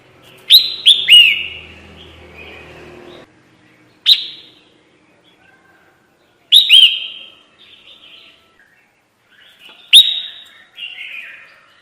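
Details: Lure call of a red-whiskered bulbul for trapping, with loud, clear whistled phrases of two or three slurred notes that come about every three seconds, separated by quiet pauses and faint softer notes.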